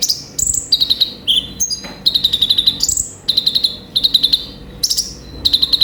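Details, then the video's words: Konin (sunbird) song used as a lure and therapy call: bright high whistles and rapid trills of repeated notes, sliding and stepping between phrases, delivered in short bursts with brief pauses, clear and dominant over faint room hum. "terapi dan pancingan suara burung konin gacor full isian"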